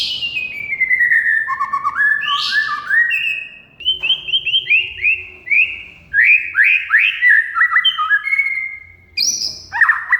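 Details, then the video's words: Oriental magpie-robin (kacer) singing in rich competition-style phrases, used as a lure and daily tutor for silent birds: fluent whistled notes stepping and sliding between pitches, with sharp upswept chips and brief pauses. "Kacer Mogok Bunyi Tiba-tiba Gacor Isian Mewah"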